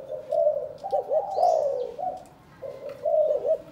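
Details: Spotted dove kept in a cage in Cần Thơ, Vietnam, during pairing for breeding; rolling, throaty coo phrases with quick bubbly notes, a short pause, then another coo series, plus a brief high chirp from another bird.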